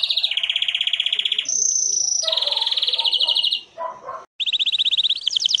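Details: Clear Belgian canary song meant to train young birds, made of rolling trills at different pitches, a sustained flat high tone, a short pause, then rising rapid trills.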